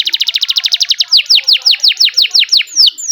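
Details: Canary song, melodious and loud: a rapid, evenly pulsed trill of high notes that slows into a series of bright, downslurred whistles, clean and without background noise.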